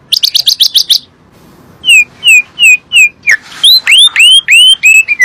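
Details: Asian pied starling lure song meant to make lazy kept birds sing: a rapid run of chattering notes, a pause, then about a dozen loud downslurred and upswept whistles in quick succession.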